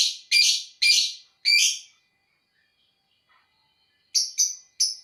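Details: Lovebird singing in the 'ngekek' style: three loud, harsh, broad chirps, a gap of near silence, then three shorter, thinner high chirps in quick succession.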